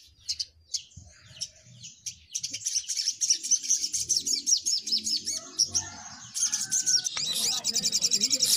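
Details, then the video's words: Little spiderhunters singing vigorously: dense, rapid, very high chirps and sharp ticking notes that pour out almost continuously and grow busier toward the end, with faint low murmuring beneath. "Burung sogok ontong pada gacor"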